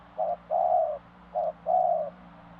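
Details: Two phrases of spotted dove cooing, each a short note followed by a drawn-out mellow coo, loud and close over a faint low hum.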